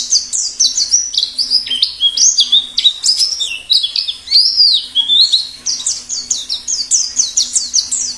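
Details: Continuous high twittering song of a wild forest white-eye, rapid falling chirps mixed with rising and arched whistled notes, delivered almost without pause throughout.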